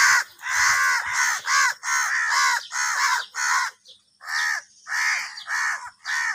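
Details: A rapid run of hoarse caws, nearly two per second, from angry crows competing for food. The calls are loud and strident and almost continuous, with one short break midway.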